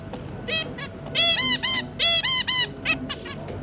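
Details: Zebra finches kept as a family of two adults and three juvenile young: a burst of loud nasal, trumpet-like honks in quick irregular pairs, several birds calling over one another.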